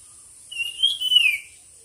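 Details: Bird at a singing contest delivering one long, sweet whistle that lifts and then curves downward over about a second, backed by a constant high hiss.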